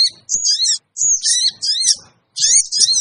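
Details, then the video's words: Sooty-headed bulbul scream used as a lure for wild birds: shrill, buzzy screeching phrases starting with a whistled note, in four bursts with short quiet gaps. "suara pikat burung kecil sogon bikin sogon liar cepat ngumpul"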